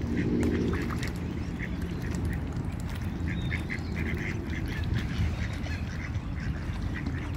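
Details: Pond ducks guarding their young quack repeatedly: brief, harsh, nasal notes in loose clusters across several seconds, set against constant low-pitched background rumble.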